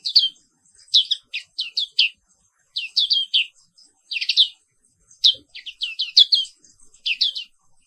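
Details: Black-capped white-eye giving a rolling morning song: bright high twittered phrases of rapidly repeated downward-slurred notes, grouped in short bursts with brief gaps between them.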